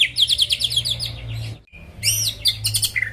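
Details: Greater green leafbird song for provoking rival birds: a run of rapid repeated chirps, a short silence, then arched high whistles and mixed chattering notes.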